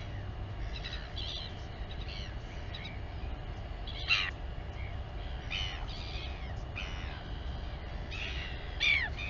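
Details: Royal albatross mother feeding her chick, colony at Taiaroa Head near Dunedin, New Zealand, live camera; scattered sharp squeaky and rasping calls, some with downward slurs and two louder cracks, over steady wind rumble.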